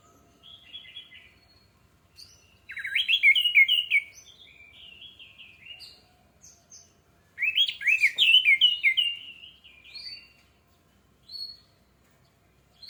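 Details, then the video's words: Orange-headed thrush used as a lure to trigger singing: two bursts of rich, rapid warbled phrases with varied whistled notes, separated by quieter pauses and a few short isolated notes. "AMPUH UNTUK PANCINGAN ANIS MERAH MEMICU CEPAT BUNYI DAN GACOR!"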